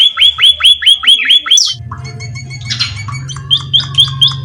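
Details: Munia in vigorous song in nature: quick high chirps repeated evenly, a pause with mixed faint twitters and a low hum, then the chirps resume.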